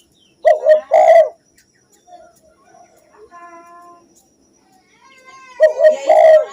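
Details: Spotted dove cooing used as tutor song for caged birds. A pair of low hoarse coo phrases opens the recording, then a quiet gap with faint thin whistles. Another coo phrase closes it.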